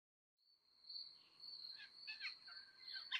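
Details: Sparrow at a zoo giving a quick run of bright, high chirps in clusters, over a thin, steady high-pitched whine throughout.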